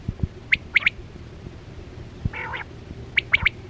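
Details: Hunting lure for netting quail, 2024-25 season: a quick three-note whistled phrase, then a brief grating buzz, then another sharp triplet, over an electrical hum with light thuds.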